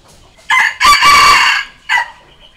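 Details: Crow of a red junglefowl used to challenge and draw in wild birds, which respond. One crow of three parts: a short note, a sustained ringing stretch, then a quick final syllable. Quiet background.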